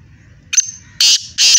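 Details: Kala teetar, the black francolin, kept by a fancier in Hyderabad, Sindh: a short thin note, then two loud, rasping, harsh bursts about half a second apart over low background hum.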